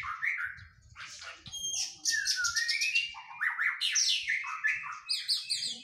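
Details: Oriental magpie-robin in post-moult physical training, giving a rich jumble of whistles, rattles and rising slurs, over low rumbling background thuds.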